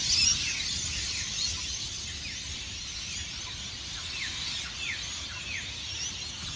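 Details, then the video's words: Massed rainbow lorikeets leaving tall Norfolk Pine roosts at Burleigh Heads Beach, South East Queensland, Australia, before sunrise; a steady wash of high shrieks with scattered sharp downslurred squeals standing out above the din. "The noise of Hundreds of Rainbow Lorikeets at Burleigh Heads"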